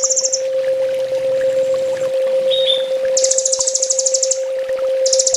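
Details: Sunbird training master song: a brief high trill, a soft falling whistle, then a long dense buzzing trill and a final burst, over an unbroken low hum.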